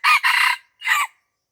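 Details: Wild red junglefowl in Aceh, lured near houses at Lamteuba, giving a short harsh crow in three broken segments over about one second, strong and clear, with no other sounds.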